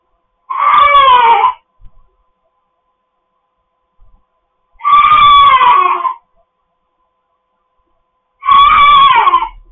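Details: Pet cockatoos at home giving three loud raspy screams, each about a second long, spaced roughly four seconds apart with silence between.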